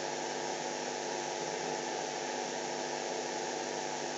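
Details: Steady broadband hiss like a fan or hair dryer fills the whole stretch, with no animal sound.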